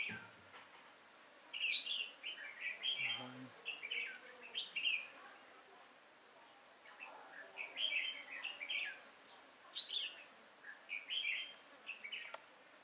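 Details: Red-whiskered bulbul singing as a decoy to attract wild bulbuls into a trap, 5 October 2018: steady stream of short warbled, chirping phrases with brief gaps, a faint low thump near the start.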